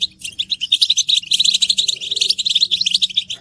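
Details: Massed European goldfinch twittering meant to motivate males to sing; rapid, liquid tinkling notes and short buzzy trills pour out continuously for the whole stretch, several birds overlapping.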